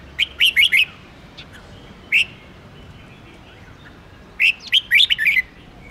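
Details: Red-whiskered bulbul singing to stimulate birds for song contests: bursts of quick, bright whistled notes, a fast run of four near 0.2 to 0.9 seconds, a lone note, then a lively warbled phrase of five or six notes; quiet background.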